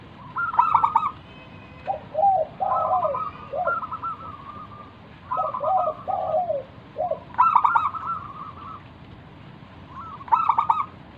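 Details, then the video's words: Lure recording of a local wild zebra dove in full song to draw other doves into singing: bubbling, rolling coo phrases alternate with lower drawn-out coos, with sharp stuttering bursts near 1, 7.5 and 10.5 seconds. "burung perkutut lokal Gacor manggung - pancingan pikat paling Ampuh mengundang bunyi"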